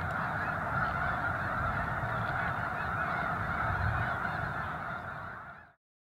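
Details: Several thousand snow geese at a Missouri national wildlife refuge during a controlled burn, blue sky and light breeze: a dense, pulsing mass of honking that holds steady, then fades quickly to silence near the end.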